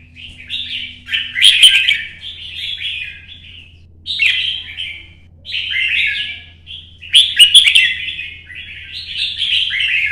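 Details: Competition song of a red-whiskered bulbul moving between perches: three loud bursts of rich, gurgling, downslurred notes, each run lasting one to two seconds, separated by short pauses, with a soft background hum.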